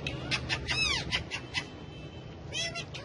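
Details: Friendly pet male ringneck parrot speaking while dancing, housed with other parrots; hoarse, voice-like phrases with rich overtones, a drawn-out swooping syllable in the middle, then quieter pauses before another rasping burst.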